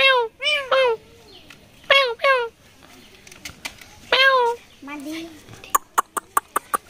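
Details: A talking rose-ringed parakeet repeats short, arching, meow-like syllables in quick clusters, then gives a lower drawn note. A run of sharp ticking clicks closes the sequence.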